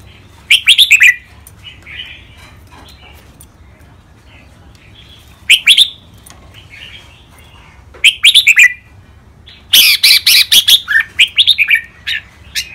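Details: Caged red-whiskered bulbuls in a training session of two contest birds paired head to head sing four separated phrases of quick, liquid whistled notes, the last one longer and more tumbling, with soft chirps in the gaps.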